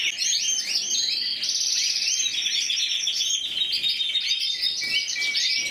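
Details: Intense yellow canary, Spain's 2014 individual champion with 94 points, singing varied fast trills, rising and falling sweeps and a few sustained whistled tones.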